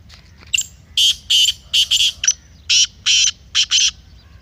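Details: A black francolin (kala teetar) gives a harsh, scratchy call used to excite a kept francolin into chakri. The bird repeats its phrase twice, each a run of grating, buzzy notes roughly a third of a second apart.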